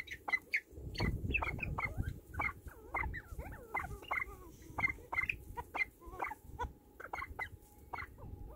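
Golden pheasants giving a rapid run of short, sharp clucking chips over a low rumble of background noise.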